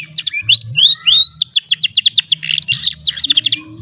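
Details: Young AF-type canary learning to sing, still giving short rolls: sweeping rising whistles, then a fast run of repeated descending notes and a brief buzzy trill, with a low hum beneath.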